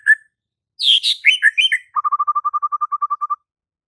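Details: Singing murai batu, or white-rumped shama: one whistle, then harsh, buzzy falling notes, followed by a rapid, steady trill of about sixteen evenly spaced notes.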